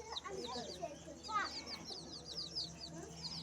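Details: Native desi hen raising her chicks in the rainy season: many thin, high, downslurred chick peeps in quick overlapping runs, with a few lower soft clucks from the hen underneath.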